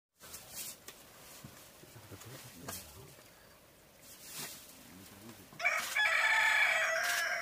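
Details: A rooster's loud, harsh crow bursts in near the end after several seconds of quiet background murmur and faint low clucking.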